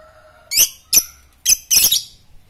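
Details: Fighter lovebird ngetik, used as a lure to provoke ngekek chatter: four loud, harsh, rasping squawks in quick succession, the last one longer and broken, with a faint steady tone beforehand.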